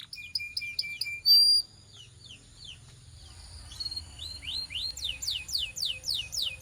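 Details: Canary training song: short staccato high chirps and one bright sustained whistle, a quieter pause, then a rapid series of descending swept notes, over a low background hum.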